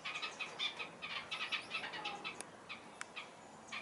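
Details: Red-capped robins feeding newly hatched chicks: close, high chirps in rapid, uneven bursts, busiest in the first two seconds, then sparser single notes and a couple of sharp clicks.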